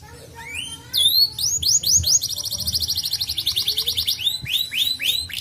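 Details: Canary lure song for prompting untrained birds: scattered rising notes, then a fast rattling trill held over a second, followed by rapid rising-falling whistled sweeps.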